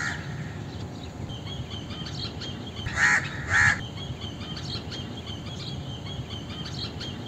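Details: Two rough, nasal caws from an Indian crow, spaced about half a second apart, set among thin high chirps and whistles from other birds.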